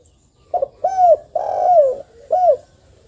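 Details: Spotted dove in full voice, calling as a lure to stir other spotted doves into calling: a low hollow cooing phrase of a short note, two drawn-out descending coos and a final short coo, all in about two seconds.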